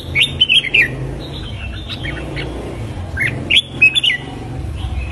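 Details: Red-whiskered bulbul morning song for training competitive singing: a few quick, slurred whistled phrases at the start and again near the end, with softer distant chirps and steady low background rumble between them.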